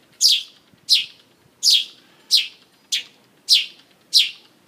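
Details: Mongolian lark singing and dancing on stage: a series of seven sharp, very high, downslurred notes, each falling steeply in pitch, repeated at a steady pace of roughly every two-thirds of a second against a quiet indoor background.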